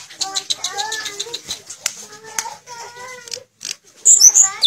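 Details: Sulingan (tledekan) in full fluting song, a mimic of other birds' tunes: phrases of clear whistled tones sliding up and down at varied pitches, mixed with dry clicks, then sharp high squeaky notes at the close.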